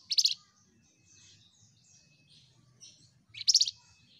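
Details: Flamboyan singing vigorously, two short bursts of rapid, high, buzzy chirps about three seconds apart, with soft twittering between them.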